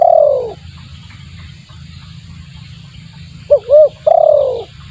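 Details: Spotted dove call played as a lure: a long descending coo fades out, quiet hum follows, then two brief coos and another long downward coo near the end.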